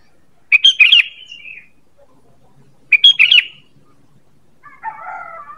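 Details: Sooty-headed bulbul call used as a lure for birds: two bursts of bright chirping notes with a short trailing whistle, about two and a half seconds apart, then a softer warbled phrase near the end.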